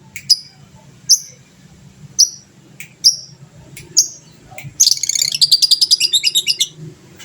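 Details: Lovebird of the fighter type, a prolific singer, its song used to provoke other birds into answering; sharp high chirps repeated about once a second, then a fast rattling trill of rapid high notes lasting nearly two seconds.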